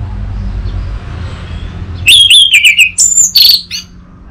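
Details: Orange-headed thrush song meant to coax a young bird into singing. Quiet low rumble for two seconds, then a loud outburst of quavering high whistles, rapid trills and sharp squeaky notes, fading at the end.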